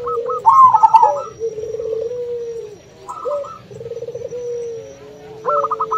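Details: Local zebra dove (perkutut lokal) calling in manggung style, meant to draw a rival to answer, mixed with another dove (burung puter): low rolling coos with rapid pulsed trills, higher staccato notes overlapping, phrases recurring roughly every two and a half seconds.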